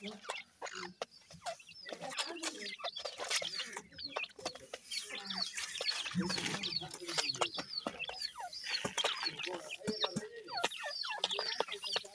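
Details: Week-old teetar, or grey francolin, chicks feeding: many shrill, curved cheeps overlapping constantly, with scratching and tapping sounds mixed throughout.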